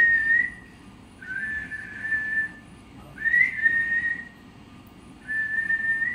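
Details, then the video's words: Parrot giving long, clear whistled notes at a steady pitch, each lasting about a second, with short gaps between them and a faint low hum in the background. "Parrot chirping sounds"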